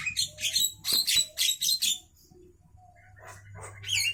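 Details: Javan myna singing at midday, opening with a string of loud harsh grating bursts at roughly half-second spacing, then a brief lull before softer chatter and a final rising squeaky note.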